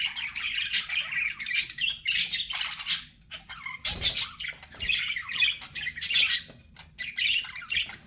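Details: Budgerigars kept as pets give scratchy squawks and warbling chirps in uneven bursts, a few louder harsh notes standing out, with one brief low bump midway.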